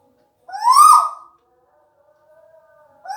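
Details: A relaxing tuwu owl gives one harsh, harmonic call that swoops upward and wavers for about half a second, then a faint, low, steady tone follows, and another call begins at the very end in an otherwise quiet small room.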